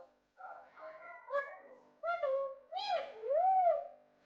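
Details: Young pet Indian ringneck parrot, bought at ten days old in Rawalpindi, talking in Urdu/Hindi: a few speech-like phrases in a high, nasal voice, ending in a drawn-out word with a rising-then-falling tone, in a quiet room.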